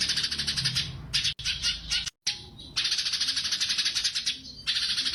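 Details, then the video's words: Sumatran leafbird in loud 'tembakan' song of the kind used to train contest birds: continuous, piercing, fast high chatter in long dense runs, broken by two short silent gaps, over a faint low rumble. "burung Cucak CUNGKOK Gacor Tembakan Istimewa"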